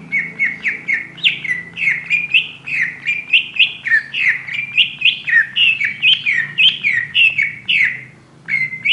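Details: Ngobra-style singing from a kacer pociku, or oriental magpie-robin: a long, rapid run of rising whistled notes repeated several times a second, with a short break near the end.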